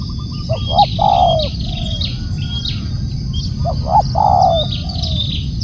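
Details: Spotted dove calling loudly: two cooing phrases about three seconds apart, each a few short low notes then a longer falling coo. Faint high chirps from other birds and steady low background rumble.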